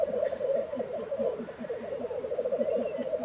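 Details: Several black grouse bubbling at their April lek in Tiveden, Sweden, a steady dense rolling coo without pause, with faint lower pulsed notes beneath and little else.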